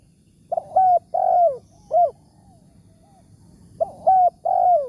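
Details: Big-voiced wild spotted dove lured in the morning with a decoy bird; two phrases of mellow coos about three seconds apart, each with a quick lead-in, a steady note and a long sliding one, with a faint soft note between.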